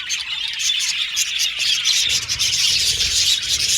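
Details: Aviary budgerigar colony in full chatter: quick tweets and twittering warbles from many birds, with a short clear whistle early on.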